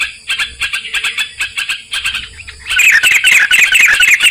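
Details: Sooty-headed bulbul song played as a lure for trapping birds: evenly spaced short chirps, then a louder burst of rich warbled, bubbling notes in the second half.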